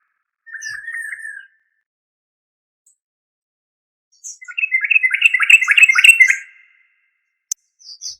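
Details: Yellow-vented bulbul (trucuk) with a short warbled phrase, a long pause, then a dense run of rapid chattering notes lasting about two seconds, followed by a sharp click.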